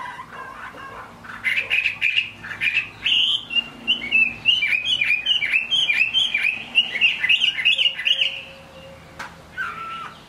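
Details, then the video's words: Chinese hwamei, a cage bird, singing in the rain: quiet start, then a quick chain of bright, bouncing whistled notes that stops abruptly, followed by a lone low whistle. "Họa mi hót trong mưa"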